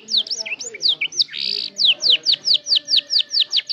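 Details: Learning canary practising sounds for a lure recording: mixed quick chirps and a brief rasping buzz, followed by an evenly spaced series of clear down-slurred whistles.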